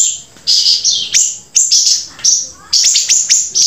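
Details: Loud close grey-breasted prinia song made of high, thin, ringing notes in short bursts, each with a sharp downward flick at the onset, repeated in rapid series with brief gaps.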